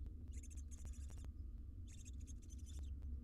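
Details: Wild barn owl family resting at a monitored nest box, making repeated harsh, rasping hiss-like bursts in short pulses, with steady low rumbling background noise and occasional clicks.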